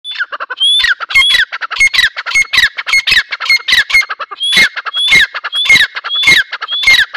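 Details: Grey partridge, known locally as Dakhni teetar, giving loud harsh squawking notes. Each note has a high whistled edge, and they repeat in rapid rhythmic bursts, nearly two per second, without pause.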